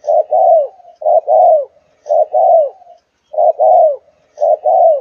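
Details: Four-month-old Malaysian-line spotted dove of the 'thúc gù' cooing style, giving mellow, low coos in paired phrases: a short note then a longer, falling note, repeated about every second.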